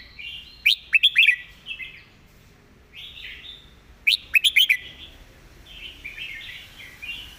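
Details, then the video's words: Red-whiskered bulbul giving a clearly worded master song: two loud groups of three to four crisp, rising whistles about three seconds apart, each trailed by soft warbled phrases. "สำนวนดี ร้องชัดคำ เพลงแม่บท"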